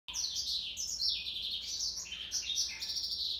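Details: Male African yellow canary, Serinus flavivertris, singing a continuous warbling run of bright, high twittering notes with quick trills and slurred whistles, unbroken for over three seconds.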